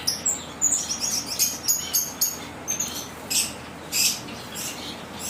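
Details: Aviary zebra waxbills calling in a busy run of high, clipped chirps, closely spaced at first and then sparser, several sounding slightly buzzy, against low background hiss.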